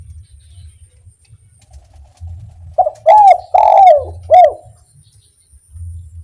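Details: Kuk 1 style call of a spotted dove, played to get other doves singing: after a quiet start, one phrase of four soft, falling coos with a longer third note, a low background rumble throughout.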